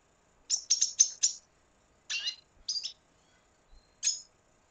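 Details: Red siskin of Venezuela delivering a short phrase of four fast, high chirps, followed by a buzzier note and scattered single calls in quiet surroundings.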